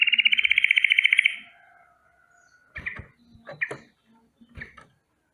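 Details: Yellow-vented bulbul in the morning, rolling alarm against danger: a fast buzzy trill lasting over a second, then a few scattered harsh chips and softer notes.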